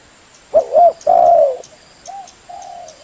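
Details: A spotted dove calling as a lure gives two short coos and a long, drawn-out coo, followed by two soft, fading notes.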